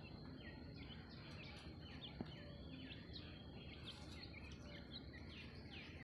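Grey partridges give a steady stream of short, scratchy, hooked chirps, several birds overlapping, over a low rumble of background noise.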